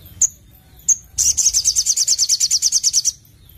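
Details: A Sogon (Ruby-cheeked sunbird), singing actively and sharply, gives two isolated high chips. These are followed by a fast, even trill of around eighteen shrill notes lasting about two seconds, with a soft low hum behind.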